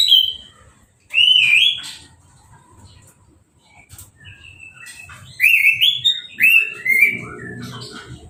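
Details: Post-moult caged orange-headed thrush, freshly bathed with a hose and uncovered, sings short looping whistled phrases with quick upward flicks, pauses several seconds, then delivers a louder run of bouncing whistled notes over faint low rumble.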